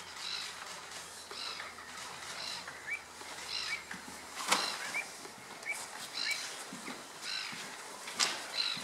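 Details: A black-winged stilt at Slimbridge WWT, Gloucestershire, on 23 April 2017 gives sharp, high yapping notes roughly every second, with a few thin chirps and faint outdoor background.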